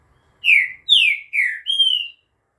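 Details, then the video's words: "Bom dia seu Chico" song of a green-winged saltator, recorded in the afternoon of 11 September: a clear four-note whistled phrase of three falling slurs ending in a drawn-out, slightly rising whistle, with faint low rumble. "CANTO DO TRINCA FERRO BOM DIA SEU CHICO"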